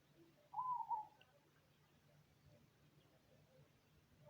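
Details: Cemani zebra dove (perkutut) singing: one short phrase of soft, rolling coos with a brief stutter in the middle, mid-pitched and clear, followed by quiet with a faint low hum.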